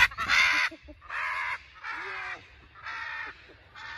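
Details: A pet macaw free-flying in a park with its flock-mate gives five harsh, raucous screams, about one per second, called a happy scream by its owner, over a low rumble of wind.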